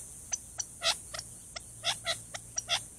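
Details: Alarm from a male Gambel's quail in a chaparral thicket by an Arizona watering hole, warning of a Cooper's hawk: sharp clicks alternating with fuller, louder chip notes, about three per second, over a low electrical hum.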